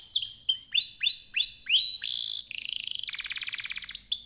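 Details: Canary singing strongly as a lure for other canaries: a series of rising-then-falling whistles, a harsh buzzy note, and a fast steady trill before a final whistle.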